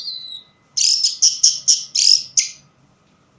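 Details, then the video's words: In low light an orange-headed thrush delivers a fast string of six or seven loud, high, scratchy notes, each about a quarter second apart, after a thin descending whistle. "Burung Anis merah bunyi tanpa bayangan"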